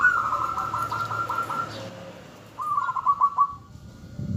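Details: Local zebra dove singing to lure and provoke answers from other doves: a long beaded coo phrase of pulsed notes, a short pause, then a second rising trilled phrase over light background hiss.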